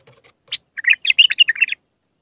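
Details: Iraqi bulbul singing a raw Mandalawi-style song used to teach young bulbuls; a few faint soft notes, then one quick bubbly phrase of about eight warbled notes that rise and fall, clear with no background noise.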